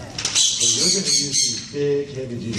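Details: Captive Hyacinth Macaw, shown by an Oregon parrot rehabilitator at a library education program, gives harsh, grating squawks in loud bursts through most of the clip while a person talks underneath.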